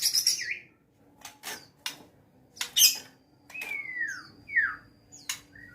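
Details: A caged white-rumped shama ready for a field contest sings sparse phrases: a long descending whistle, a sharp upward slur and short bright notes, separated by clicks and pauses.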